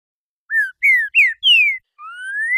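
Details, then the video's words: Green-winged saltator (trinca-ferro) singing the classic "renegado" song of four notes ending in "boi": four clear, slurred whistles, each sliding downward, then a long rising whistle, with no other sounds. "TRINCA FERRO RENEGADO CANTO CLÁSSICO 4 NOTAS E BOI"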